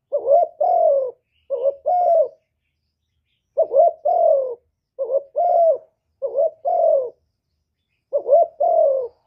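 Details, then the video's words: A spotted dove's full hạp bổi song of calling, urging and cooing, captured live without noise; about seven quick phrases, a brief wavering note followed by a longer low coo, coming in fast bursts with short gaps. "Cu Gáy Giọng Hạp Bổi ĐỦ BÀI (GỌI +THÚC + GÙ)"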